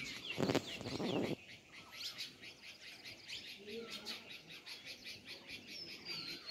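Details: A brief low, voice-like burst opens the recording before sparrow chirping takes over: rapid high twitters and short chirps from several birds, continuing evenly to the end.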